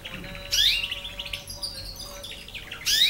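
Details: Canary aged nine months learning song: loud bright chirp bursts opening and closing, with a run of rapid descending twittered notes between, faint low hum behind.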